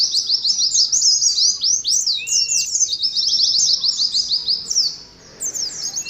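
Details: Sustained fast twittering of an Oriental white-eye, meant for caged birds hung together in a colony: dense strings of high sliding chirps, a brief lower whistle, then a short pause and more chirps.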